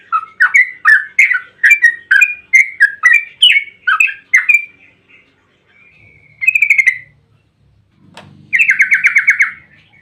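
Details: Yellow-vented bulbul singing a long 'ropel' song meant to lure other bulbuls into answering: a steady string of bubbly, rising-and-falling liquid phrases for about five seconds, then two fast chattering trills, with a soft low rustle late.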